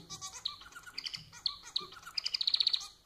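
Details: Manon, the domestic society finch, singing a busy stream of sharp high chirps and ticks that ends in a fast, rhythmic pulsed trill of about ten notes.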